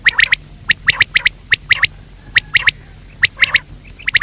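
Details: Quail, called batair, male and female sounds: clipped, rasping notes in tight groups of two to four, repeated at irregular short intervals against a quiet background.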